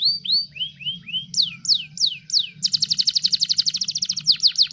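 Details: Gacor canary song played to tutor other songbirds: soft arched upslurred notes, several sharp descending whistles, then a loud, fast, even trill.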